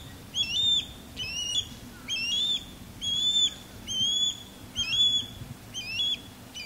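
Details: Osprey mating calls from a courtship sky dance, the male circling over a backyard and the female in a longleaf pine; seven loud shrill whistled notes, each sliding up sharply, steadily spaced under a second apart.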